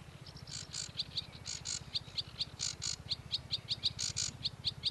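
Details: Sedge warbler delivering rhythmic series of short high ticking notes alternating with louder buzzy bursts, repeated steadily over a constant low hum.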